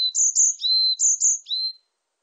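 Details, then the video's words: Varied tit repeating its song phrase, paired high whistled notes followed by a lower lingering tone, twice in full, sharply recorded in silence. "곤줄박이, 여러번 듣기, 곤충소리, 새소리"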